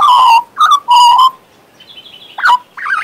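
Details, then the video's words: Three loud, mellow warbled notes from a pet male Western Australian magpie, then a faint high thin whistle and two quick swooping, twanging calls. "My Western Australian Magpie Warbling, Whistling and Singing!"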